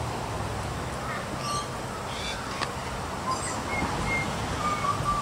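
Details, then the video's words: Young Australian magpie calling and singing while eating: a run of short, clear whistled notes, some level and some gently falling, with a few harsher, buzzier notes between them, over a steady hum of background noise. "Bird baby Australian Magpie yelling, singing and eating."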